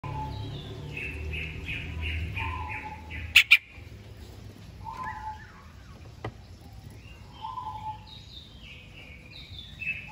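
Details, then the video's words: Caged greater green leafbird being readied for a singing contest, delivering a varied run of warbled, slurred phrases at mid to high pitch, some repeated in quick series, with two sharp loud clicks midway and low background rumble. "Cucak HIJAU siap diajak LOMBA"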